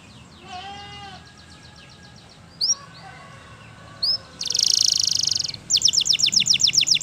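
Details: Canary in the wild heard faintly at first with soft sliding notes and two brief chips, then a loud buzzy burst and a quick rhythmic trill at the end.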